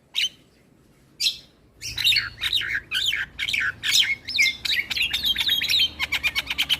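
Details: Asian pied starling song used every morning as a training model for young birds: two sharp opening notes, then a fast run of high, looping whistled and chattering phrases, ending in rapid repeated clicks.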